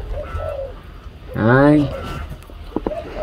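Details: A male spotted dove, father of a breeding pair that recently hatched two chicks, gives a single deep, resonant "âm đồng" coo lasting about half a second; a man speaks softly around it, and a few dry clicks follow.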